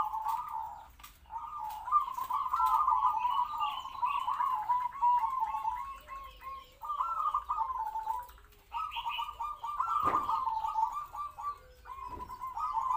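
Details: Local zebra dove kept as a decoy in a small open cage to lure wild doves, medium-pitched kwor kwor voice: a long run of rolling, trilled coo phrases with brief pauses and occasional clicks.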